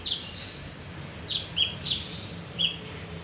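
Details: Male leafbird giving its lure song: five short, high, clipped chirps at irregular spacing, with a soft low hum behind.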